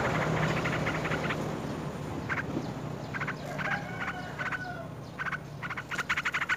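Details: Hungry Yellow-vented bulbul chick at the nest begging while an adult feeds it a large fruit: short bursts of rapid, buzzy pulsed notes, several evenly spaced groups, over steady low background hum.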